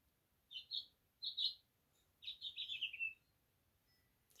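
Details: House finch song replayed as a reminder for children; short bursts of high chirpy notes, then a longer warbled phrase of rapid twittering that slides downward, with quiet gaps between.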